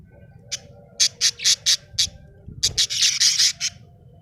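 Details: Happy budgie chirping in quick, sharp, high notes, a row of five evenly spaced chirps followed by a denser, faster burst of overlapping chirps, with a faint low hum behind.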